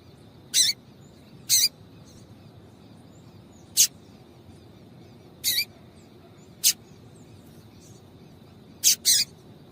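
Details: Female double-collared seedeater giving calls that stir males to sing: about seven crisp, high, clipped chips at irregular intervals, a couple in close pairs, against a quiet background with a faint steady high hum.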